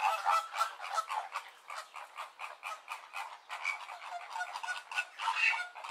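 Flamingos honk in a dense, overlapping chorus, with nasal goose-like calls repeating several times a second and no break.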